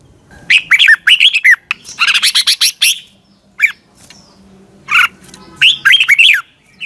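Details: Morning song of a red-whiskered bulbul used to train birds: lively slurred whistled notes mixed with a dense burst of harsh chattering chips, then scattered single notes and a final warbled phrase.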